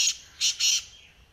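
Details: Black francolin calling: three harsh, grating bursts in quick succession, the last two longer and nearly joined, set against a quiet background.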